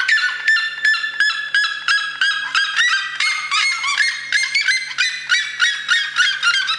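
Red-legged seriema giving a loud, ringing series of harsh, yelping notes, about three each second, with a faint low hum beneath.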